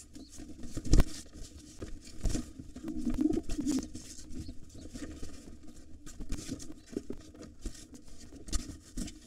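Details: A white father pigeon battles a gray intruder trying to take over the nest of wild pigeons with two nestlings. A short burst of low, guttural cooing comes mid-clip, surrounded by thumps, scratching and wing rustling.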